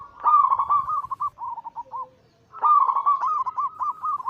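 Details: Zebra doves, Bangkok crossed with cemani katuranggan silver, singing as a daily lure; two rolling coo phrases, each starting loud then trailing into softer separate notes.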